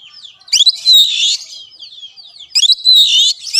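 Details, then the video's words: Oriental magpie-robin, training sound for a caged bird that will not sing: two bursts of rich, chattering whistles with a sustained, warbling middle, separated by about a second of quieter notes. "BUAT KACER MACET || SOLUSI MASTERAN MUJARAB"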